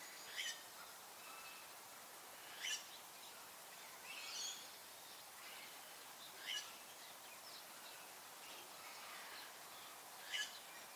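Fawn-breasted bowerbird giving five short, harsh rasping notes spaced two to four seconds apart, over a steady hiss of background noise.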